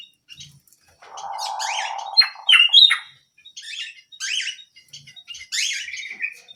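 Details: Small canary singing energetically: a sustained low buzzy rattle opens the phrase, then loud whistled slides and harsh sweeping notes, ending with a descending slurred note.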